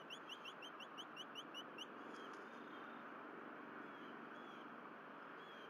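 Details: Bald eagles, a pair spending time on their nest at Berry College: a fast run of high, sharp rising chips for about two seconds, then only steady background hum with a faint distant note.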